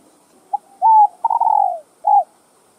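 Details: Spotted dove voice used to stimulate other doves: a faint short note, a smooth coo, a long tremulous rolling coo sliding downward, and a closing brief coo, all clean and quiet.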